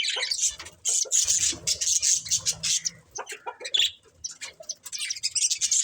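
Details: Breeding pair of budgerigars chirping: dense, scratchy high-pitched chatter in rapid bursts, with brief gaps near one and four seconds and a faint low rumble underneath.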